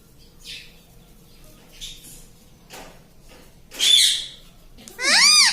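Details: Pet talking parrot (tota) at home: faint short squawks, then a loud harmonic squawk with rising and falling arches near the end over low room hum.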